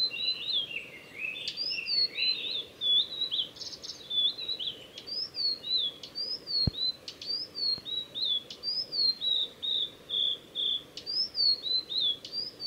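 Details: Male blue-and-white flycatcher singing along the Mizusawa forest road in Tanzawa, Japan, on 8 June 2020: clear high whistled notes, mostly short downslurs repeated about once a second, with a brief lower warbling passage early on and faint steady background hum.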